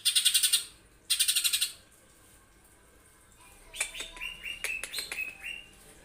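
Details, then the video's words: Green leafbird in competition singing. Two fierce, rasping bursts of rapid pulses ('tembakan kasar') are followed after a pause by a run of sharp, falling whistled notes and short clear tones. "SADISSSS full TEMBAKAN KASARRR Idola juri"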